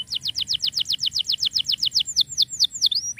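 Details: Singing canary for tutoring silent canaries: a quick, even run of sharp descending chirps, roughly six per second, shifting into slower slurred downward whistles near the end; light constant background hiss.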